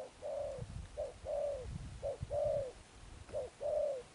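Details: Spotted dove, a wild-caught bird, cooing in the 'Thúc Đồng Pha Sấm' style with 'Sấm Thổ' tone. Mid-pitched cooing comes in pairs: a short clipped note, then a longer, slightly falling coo. The pair repeats about four times, with low rumbling underneath.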